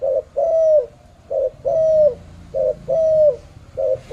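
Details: Malaysian spotted dove calling in a steady rhythm, each phrase a brief stuttering note then a longer hollow coo, about four phrases in quick succession with little else audible.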